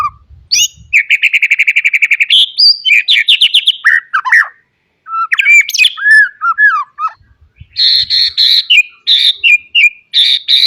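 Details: Captive white-rumped shama song used to train young birds: a fast buzzy rattle of repeated notes, sliding whistles, then bursts of high harsh trills alternating with short clear notes.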